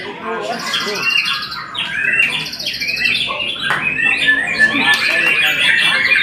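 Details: Vigorous song from a white-rumped shama, with loud clear whistles, rising and falling slurs and crisp trilled bursts delivered in quick succession after a quieter opening.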